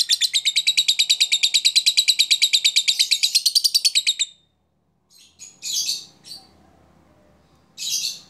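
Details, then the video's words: Lovebird sound played as a lure to stir other lovebirds into singing: a long fast run of rhythmic chattering notes, about three per second, then silence and a few loud harsh squealing bursts. "PANCINGAN LOVEBIRD AMPUH..!!ngetik koek ngekek bikin lovebird gairah bunyi"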